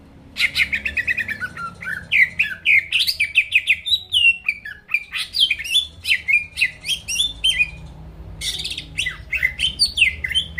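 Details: Greater green leafbird (cucak ijo) in continuous song aimed at rousing rivals: a rapid stream of varied whistles, slurs and twittering notes, briefly pausing before resuming with dense chatter.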